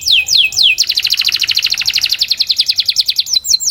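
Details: Canary training song for improving singing: a few falling whistled notes lead into a long fast rolling trill of evenly repeated bright notes, ending with more falling whistles.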